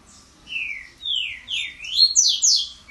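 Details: Green-winged saltator singing an unusual song variant: loud, clear whistled phrases of slurred descending notes followed by sharper rising and falling whistles that climb higher toward the end, against a quiet background.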